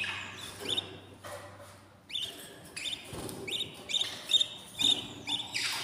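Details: Budgerigar chicks in a new nest at day fourteen: sharp high chirps in irregular clusters, some with a whistled rising edge, separated by quieter gaps.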